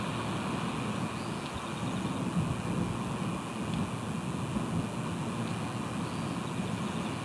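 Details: Steady roaring noise like wind and rain, with faint scattered taps and no clear animal calls.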